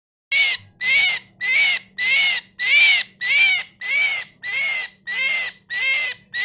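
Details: Myna giving a loud harsh call repeated about every 0.6 seconds, each note a broad buzzy burst with a bright whistled band near the top, in a steady rhythm over a faint low hum.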